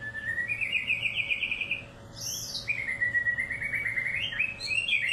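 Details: Murai batu from Medan, a white-rumped shama, sings long rapid trilled phrases that rise and fall, with a brief high buzzy note in the middle, over a faint constant hum.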